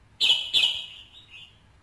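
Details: Red-whiskered bulbul sounds used to rouse a male: two loud, bright chirped notes about a third of a second apart, trailing into a softer, fading whistled tail with a faint final echo.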